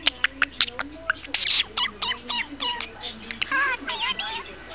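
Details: Talking parakeet from Kalihi in Honolulu, Hawaii, known to say I love you, chattering a rapid mix of clicks, chirps and warbled speech-like phrases in a small room.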